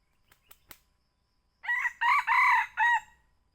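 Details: Lure call of a young red junglefowl, used to draw birds in while hunting at Bukit Tinggi. Three faint clicks come first, then a loud crow of four harmonic, buzzy segments ending on a shorter final note.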